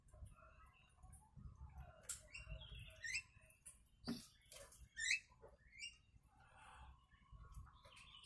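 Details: Yellow-vented bulbul delivering kutilang-style phrases as a training song for other birds: sharp upslurred whistles and chattering notes arrive in irregular bursts about once a second, with a click, a low hum and faint tapping behind.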